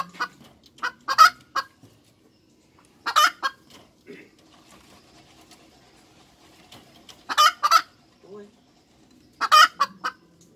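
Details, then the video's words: Hens cackling in scattered loud clusters of harsh clucks separated by longer pauses, with softer low murmurs and faint background noise in between. "Tiếng Gà Mái Chuẩn - Chicken Crows 100% , Hens Crowing"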